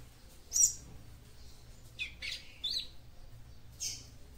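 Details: Female capped seedeater calling to excite the male: one loud high chirp, then a short cluster of thinner tweets and a final chirp, over a low background hum.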